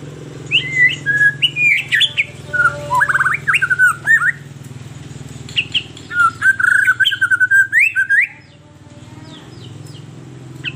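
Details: White-rumped shama song meant as a lure for captive birds, with loud varied whistles and chattering phrases in quick succession over a steady low hum, then ending in near silence.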